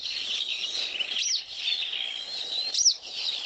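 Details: Western Yellow Wagtail, said to have a very clear, sharp, unique call, giving two sharp, high, sweeping notes about one and a half seconds apart, over a steady high hiss of insects or distant birds.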